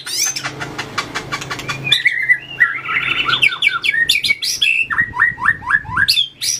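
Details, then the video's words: White-rumped shama practising fighting song, tail-flicking and moving between perches: dry rapid clicks lead into lively whistled trills and repeated falling slurred notes in quick succession. "luyện chòe lửa hót đấu,đập đuôi chạy cầu | murai batu"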